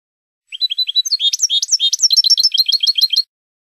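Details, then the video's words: Training recording of a European goldfinch's Spanish song for cage birds: thin, upslurred notes lead into quick, ringing twitters and chirps repeated at a steady, rapid pace for nearly three seconds. "شريط لغة الحسون الإسباني"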